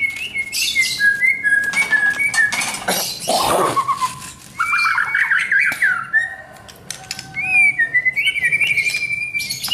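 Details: Captive white-rumped shama being trained for champion mentality, singing loud varied phrases: harsh squawks and buzzy bursts mixed with clear whistled notes and rapid repeated chips, with a brief quieter pause midway.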